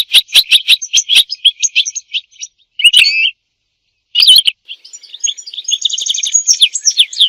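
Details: European goldfinch, singing for mating and to teach goldfinches song; sharp clicking chirps in a quick series, a brief pause, then scratchy twitters and a fast buzzy trill.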